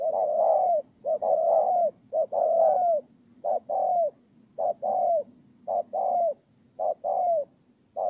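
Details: Spotted dove kept as a decoy, Tumorong, Kon Tum, Vietnam, September 2018: a long run of loud two-part coos, short lead note and longer falling tail, given at a steady pace of about one per second.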